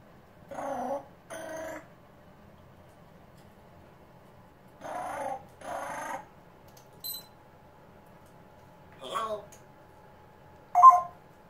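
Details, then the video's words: A pet African grey parrot indoors mimicking phone calls and an intercom: paired short voice-like bursts repeated twice, then a brief high note, a sliding squawk and a sharp electronic-sounding beep, with a faint steady hum throughout. "MY AFRICAN GREY MOCKING MY PHONE CALLS AND INTERCOM"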